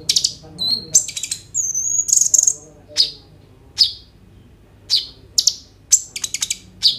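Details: Sunbird known as kolibri ninja, singing hard with filled-in phrases as a prompt for other birds, recorded by phone: sharp chips spaced about a second apart, a thin high whistle, buzzy clusters.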